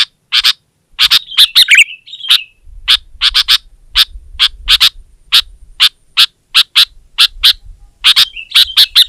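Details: Sooty-headed bulbul challenging a rival in song: a quick warbled phrase early, then a steady stream of crisp high chirps, a short warble near the end, over soft low hum.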